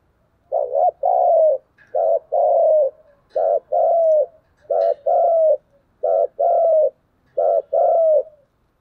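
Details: Rival-challenging 'thúc gù' cooing by a spotted dove: six loud, evenly spaced two-part phrases, a clipped opening coo followed by a longer coo that slides downward, in a quiet setting.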